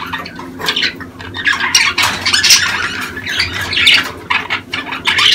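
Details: Budgerigar calls from the breeding season, used to encourage pairing and egg-laying. A rough, harsher chattering warble sits over a steady low background hum, with rising and falling scratchy notes.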